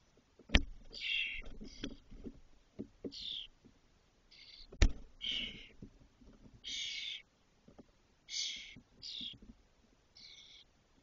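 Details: Spotless starling nestlings, six young fully feathered and ready to fledge in a cork oak in Doñana, Spain; a long run of scratchy, hissed bursts in uneven clusters, with loud knocks from inside the nest.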